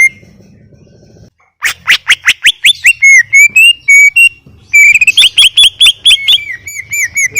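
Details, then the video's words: Vigorous gacor song of a greater green leafbird used as tutor material: after a short pause, a rapid burst of sharp chirps gives way to smooth whistled slurs, then another fast chattering run and descending whistles. "Full Gacor 40 menit CUCAK IJO"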